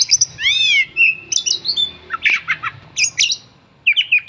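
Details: Caged fighter-type oriental magpie-robin, worked up when called by name: opens with clear rising-falling whistles, then a clipped whistle, followed by clusters of harsh chattering notes and short buzzy phrases with pauses between.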